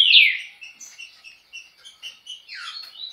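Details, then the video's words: Green-winged saltator (trinca-ferro) singing a fast song in the style called chucrinho: a loud, sharp opening note followed by a rapid run of short chirped and whistled notes, ending in a rising burst, with no other clear sounds. "Trinca ferro.( Chucrinho )muita velocidade."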